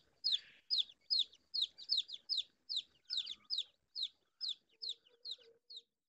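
A chick gives loud, high, downward-sliding peeps, about two or three each second in a steady run, with a faint low hum near the end.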